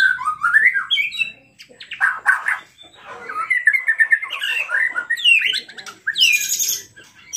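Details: White-rumped shama in full song, used as a lure to set other shamas singing: rolling whistled phrases rising and falling, dense chattering bursts midway, then high thin sweeping notes at the close.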